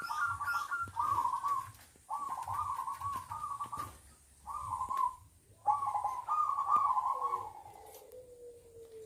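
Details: Kept zebra dove (perkutut) from a local collection giving its song: soft, rolling cooing phrases in quick bursts of staccato notes, ending in a long, low, falling coo, over faint background hiss.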